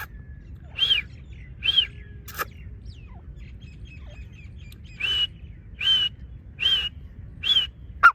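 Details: Partridge (teetar) giving repeated loud, arched, whistled notes roughly every second, in groups of two and four, with a brief click and a low background rumble between calls.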